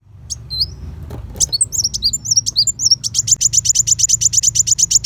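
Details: Van Hasselt's sunbird (kolibri wulung) singing sharp 'tembakan besetan' phrases, used as master material for training white-rumped shama for contests: scattered thin high notes, then from three seconds a fast, steady run of short piercing chirps.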